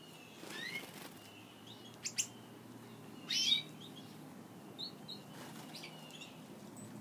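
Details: Pet Gouldian finches calling while feeding on a favourite food, growing comfortable with a nearby person; soft thin high calls scattered across the stretch, one brief louder chirp in the middle, with light clicks and handling noises.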